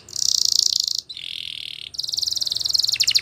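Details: Spanish Timbrado canary, a singing champion, pouring out continuous metallic trills: a high rolling phrase, a slightly lower steady buzzing trill, then a high pulsing trill over faint background hiss.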